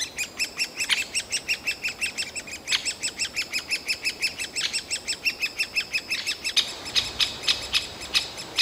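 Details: Noisy, well-grown great spotted woodpecker nestlings beg nonstop from their tree cavity to urge parents to bring food faster, Yekaterinburg forest park, late June 2018; rapid, evenly spaced squeaky chirps, nearly two per second, growing louder and busier toward the end.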